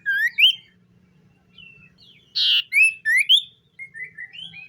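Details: A common iora sings in the morning, giving loud rising whistles, then a brief rasping buzz, followed by more clear slurred whistles and softer, level whistled notes.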